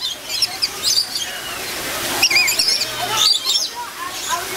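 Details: Hungry lories being fed in the walk-through Lory Landing aviary at Busch Gardens Tampa, 2012: several birds give shrill, squeaky high chirps and short screeches in overlapping bursts, with visitors' voices in the background.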